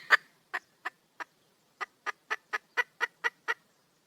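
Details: Calling wild hen red junglefowl seeking a male: a dozen short clucks, sparse at first then quickening to about four per second, fairly quiet.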